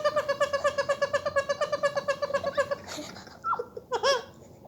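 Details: A young pet Indian ringneck parakeet (Psittacula krameri), just learning to talk and copying its owners' laughter, gives a fast run of rhythmic, giggling chatter, about twenty pulses in three seconds, then a few sharper squawks.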